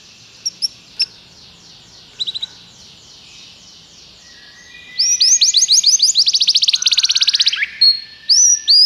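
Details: Tutor ('professor') Belgian canary in full song: a few scattered short chirps over faint background, then a loud rapid trill of rising notes, about three per second or faster, ending in separate sharp chirps.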